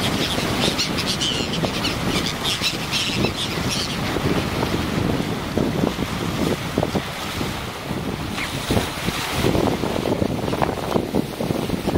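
Steady wind buffeting the microphone over lapping water, with no animal calls standing out.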